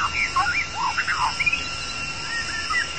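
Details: White-rumped shama, long-tailed form, used as a lure to trap wild birds: short looping whistled notes that rise and fall in quick succession, over a constant background hum and faint hiss.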